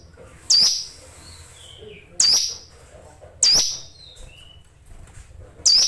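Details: Caged hill prinia delivering sharp, high, down-slurred notes that open with a loud crack, spaced one to two seconds apart, with soft sliding whistles between them.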